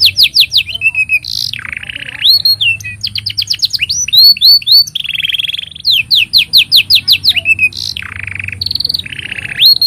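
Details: Long, continuous canary song used as tutor material for young birds: quick trills of repeated notes alternating with rolling buzzy tours and clear rising whistles, loud and sustained throughout.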